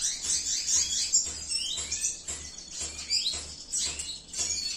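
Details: Bright, high-pitched twittering from a cinnamon-mutation male Venezuelan siskin at a breeding facility: quick descending chirps and slurred whistles in loose phrases, with a faint low hum in the background.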